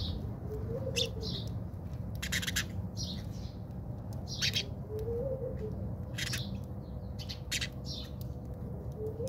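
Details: Backyard house sparrows in South Africa squabble with sharp, high chirps and rasping notes in scattered bursts, while a dove coos softly and repeatedly in the background.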